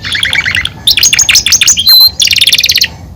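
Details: Belgian canary singing in its cage, a varied song of quick high trills, a brief pure whistled note, then a fast rattling run of repeated bright notes.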